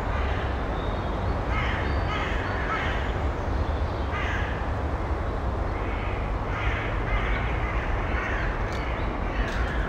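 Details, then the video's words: In an early-May nest box, a female Eurasian eagle-owl with her nestlings: repeated hoarse, scratchy bursts, some paired, spaced about a second apart across the clip, set against an unbroken low droning background noise. "Eagle Owl-Uhuline + Uhunestlinge in der Nisthilfe Anfang Mai gefilmt."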